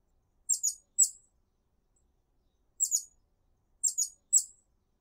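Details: Hummingbird singing in a garden, calling other hummingbirds to it: very high, sharp chip notes in quick pairs and singles, grouped in three short bursts separated by silent gaps.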